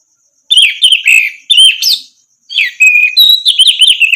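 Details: Orange-headed thrush singing for use in training other birds: continuous varied warbling made of slurred whistles, quick trills and a long even note, brief gaps between phrases, over faint high-pitched ticking.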